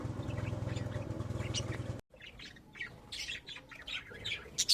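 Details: Kept budgerigars: a low humming background with faint chirps, then after a brief break a livelier stretch of sharp squawky chirps and warbles, fast and irregular.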